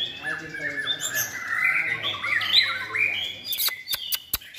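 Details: White-rumped shama kept in a cage and trained for competitive singing, giving overlapping whistled and warbled phrases that swell in loudness, followed near the end by several sharp, dry clicking snaps.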